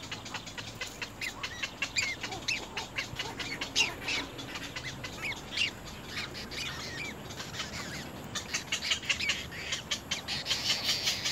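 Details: Little egret chicks at the nest, biting hard at their mother: rapid harsh ticking and rasping bursts, many per second and uneven, with a steady hiss underneath.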